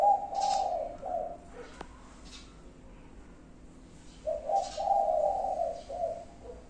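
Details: Spotted dove delivering five-note cooing, soft low hooted notes in two phrases separated by a pause, with a few faint higher chirps and clicks in the background.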